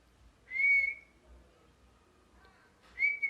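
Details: Parrot giving two clear whistled notes, each sweeping sharply upward and then holding a steady high tone for about half a second. The notes are separated by a quiet gap of roughly two seconds, with faint low hum underneath.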